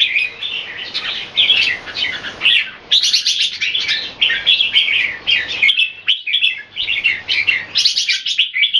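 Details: Red-whiskered bulbul kept in Singapore, display singing: long run of rich warbled and chattering phrases with rapid trilled bursts and brief gaps, possibly more than one bird, indoors.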